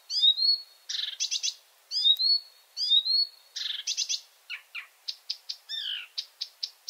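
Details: Night-singing Marsh Warbler from Finland in a fast, varied song mixing repeated upslurred whistles, rasping buzzes and quick ticking notes, about seventy elements a minute, irregularly paced.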